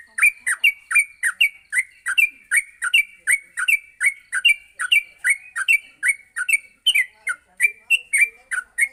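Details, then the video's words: Yellow-vented bulbul morning song used as a training recording so other bulbuls learn to sing continuously; short bubbly chirps with sharp high overtones, about one note every second, steady and clear with no other sounds. "masteran pagi burung trucuk untuk melatih trucuk agar cepat ngropel"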